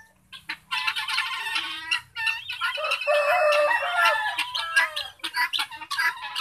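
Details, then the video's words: Several captive guinea fowl from a home flock of ten in an enclosure. Dense, scratchy, metallic calls overlap in a noisy chorus, building to a sustained loud stretch in the middle before breaking into choppy bursts. "My Guinea fowls"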